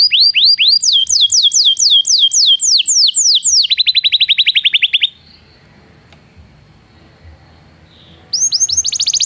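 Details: Belgian canary song for training non-singing canaries: repeated looping whistles and a fast trill, then about three seconds of near silence before a brisk trill starts again.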